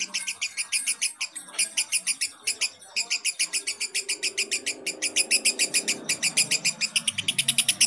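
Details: Fighter lovebird giving a long ngekek (laughing) call used as a lure for baby lovebirds: a fast, harsh, chattering string of high pulsed notes, about three to four per second, running without pause for nearly eight seconds.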